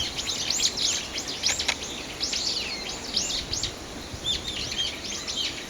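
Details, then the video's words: Small birds twittering along a side road by Aobagaike pond on 20 December: overlapping high chirps and brief slurred whistles in loose bursts, with constant environmental hiss underneath. "青葉ヶ池 鳥の鳴き声"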